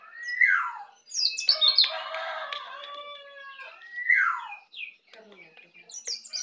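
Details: From a young Bali white-eye learning the ngeplong style: two loud downslurred whistles separated by a noisy rustling burst with chirps, then scattered high twitters.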